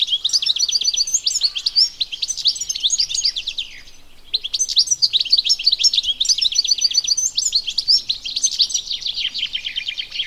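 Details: European goldfinch, called Arus al-Turkman and Taqtaq Shawk locally, heard in the wild with long bursts of lively twittering and jingling notes, interrupted by one short pause, the bubbling chatter otherwise running almost unbroken.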